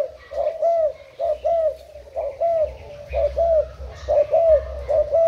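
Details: Spotted dove kept as a decoy bird, Thailand type, 10 April 2018, cooing in hoarse, slightly rising-falling notes about once a second, over a low steady hum.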